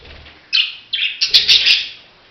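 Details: A handful of budgerigar chirps: a sharp scratchy note, a second one, then a quick rising series of squeaky bursts that fade out.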